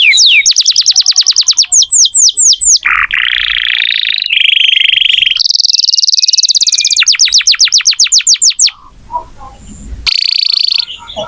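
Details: Singing canary used as a lure for young canaries or birds that have stopped singing. Rapid upswept notes alternate with buzzy rolls and high trills, then a brief pause before a final roll.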